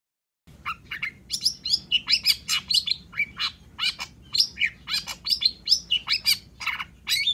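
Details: Long-tailed shrike (cendet) in vigorous gacor song, a lure to spur silent shrikes into singing: after a brief silence, an unbroken stream of scratchy notes, whistled slurs and chatter delivered rapidly and varied throughout.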